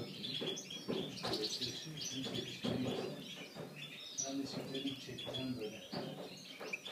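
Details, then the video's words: Five-day-old brown pastel Eurasian bullfinch chicks give thin, high chirps in quick overlapping bursts, with lower murmuring voices and rustling underneath. "kahverengi pastel şakrak yavruları brown pastel bullfinch baby"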